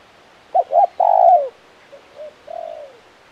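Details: Spotted dove, described as a crisp, prolific 'kuk 1' caller, giving one loud phrase of two quick coos and a drawn-out descending croo, then a softer, distant-sounding echoing phrase.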